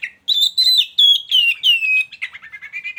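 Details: White-rumped shama in a hanging cage near a mating pair: a clear whistled phrase of rich rising and falling notes, followed by a run of short quick chips.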